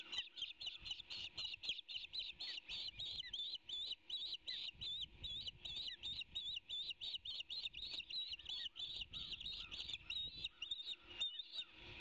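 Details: Osprey (Pandion haliaetus) nestlings, about three weeks before fledging, in the Savannah nest after a fish delivery on 15 May 2019, give a steady stream of high, sharp, slightly rising whistled chirps, four or five a second, over faint low rumble.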